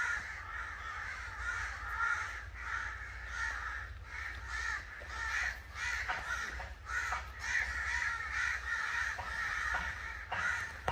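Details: Angry crows give harsh, rasping caws in rapid bursts, with individual calls standing out more clearly among the overlapping flock.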